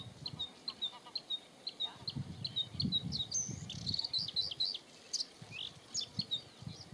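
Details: A male Bluethroat (Luscinia svecica cyanecula) sings at Ezumakeeg, the Netherlands, on 14 May 2022: a quick, varied run of high, thin notes, ticks and ringing chips, with low gusts of wind rumbling underneath.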